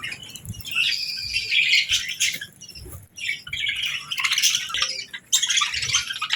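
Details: Real budgerigars enjoying a calm morning of feeding and bathing; dense, grating chatter and squawks running almost continuously, with a short pause midway.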